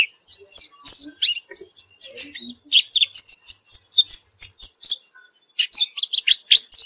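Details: After therapy, a white-eye keeps up lively song, a steady string of sharp, high twittering notes, several per second, with a short break before another quick burst.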